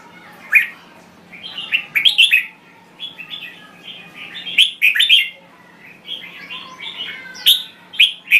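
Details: Song of a Thai red-whiskered bulbul: a run of sweet, chirpy whistles, some notes sliding up and others down, in rapid clusters roughly every second or two, faint hum beneath.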